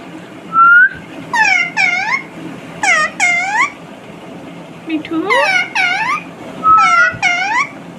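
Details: Pet rose-ringed parakeet talking nonstop, repeating short harsh human-like words in paired bursts, each with falling tonal harmonics, separated by brief pauses; a thin rising whistle opens and recurs, over faint indoor background noise.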